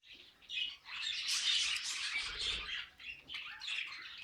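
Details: Several budgerigars singing together: a dense, chattering warble of scratchy, high notes that swells in the middle and fades near the end, with short breaks between bursts.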